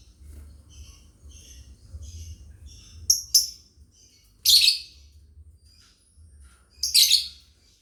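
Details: Lovebirds in a family group chirping as a training song: soft high repeated chirps through the first three seconds, followed by sharp loud screechy notes and two long harsh squawks, over a faint low hum.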